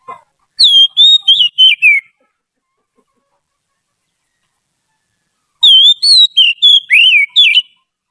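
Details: Song of a trained white-rumped shama used as a tutor: two separate phrases of rapid, clear whistles with bending pitch, parted by a long pause of about three seconds.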